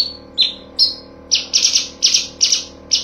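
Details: Cucak cungkok master song: clear, piercing whistled notes, each sliding slightly downward, repeated roughly every half second and growing louder. Soft electrical hum in the background. Used for training songbirds.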